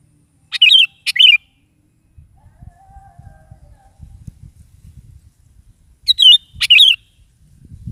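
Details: Sooty-headed bulbul singing actively in the morning, played to prompt a kept bulbul to answer: two short bubbly, warbled phrases, each opening with a sharp click, separated by about five seconds, over a low rumbling background.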